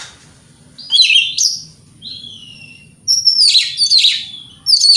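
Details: White-rumped shama lure song for provoking other shamas: a whistled phrase, a soft gliding note, then harsh, buzzy, loud bursts, over a faint low hum.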